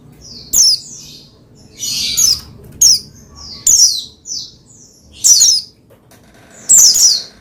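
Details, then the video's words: Pleci, the Oriental white-eye, singing as a cage bird to stimulate rivals to sing: short bursts of high, steeply falling chirps repeated roughly every second and a half, with a soft hum underneath. "Menaikan Emosi Burung Pleci Bahan Agar Pleci Gacor Cepat Bunyi Rajin Gacor"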